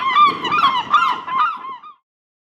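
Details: Herring gulls in a fight over a cigarette butt. A burst of harsh, wavering, nasal squeals lasts about two seconds, then silence.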